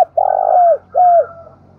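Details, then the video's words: Spotted dove in Dong Nai, Vietnam, giving a close, loud low coo: a rough purring note sliding down, followed by a smooth falling coo. "Tiếng chim cu gáy thúc và gáy gọi vang cả núi rừng Đồng Nai"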